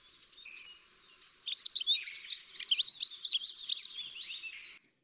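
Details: Dunnock (Prunella modularis) song: a hurried, high, warbling jumble of thin, squeaky notes lasting about three seconds; the song is repeated over and over, and in breeding season the male typically sings from a high perch.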